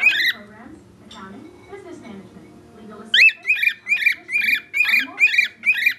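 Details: Pet bird indoors whistling for attention: soft murmuring notes at first, then a run of about eight loud, sharp, harmonic whistles, roughly two per second.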